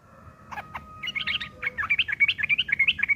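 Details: Yellow-vented bulbul giving a rough ngeriwik chatter used as tutoring material for long-tailed shrikes: a couple of sharp notes, then a fast run of scratchy, buzzy chirps repeated about three times a second and growing louder.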